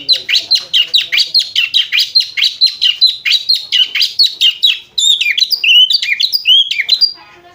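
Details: Ngriwik-style chattering of an Oriental magpie-robin, likened to a lovebird: fast, steady string of piercing down-slurred chirps, about two per second, switching to louder looping whistled notes near the end.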